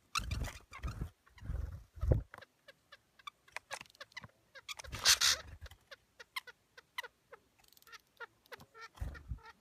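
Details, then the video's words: Red-breasted nuthatch giving short, nasal, tinny notes, several per second in loose runs, broken by low thumps and rustling bursts. "Red-breasted Nuthatch"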